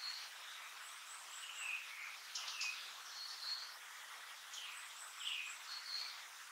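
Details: Recently fledged Blue-and-white flycatcher nestling: brief high whistled notes alternating with lower, downward-slurred chirps, repeated irregularly throughout, with faint very high rapid ticking notes and constant soft background hiss.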